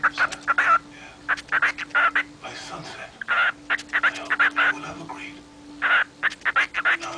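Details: A female pet cockatiel mumbling to herself: short, raspy chattering bursts repeated in quick clusters with brief pauses, over a steady low hum.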